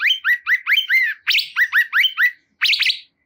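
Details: Bulbul known locally as cungkok, repeating rich, slurred two-note phrases in quick succession, about three per second, with a short pause before a final burst of higher chirps.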